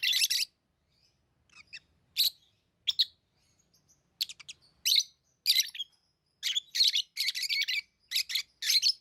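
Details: Tame lovebirds give shrill, buzzy chirps in quick irregular bursts, sparse at first and then crowding into dense clusters toward the end, with a quiet background.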